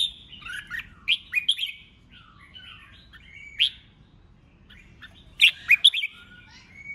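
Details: Red-whiskered bulbul prompted to sing competitively, delivering scattered whistled phrases and sharp chips, a quieter spell in the middle, then a loud burst of rapid notes near the end.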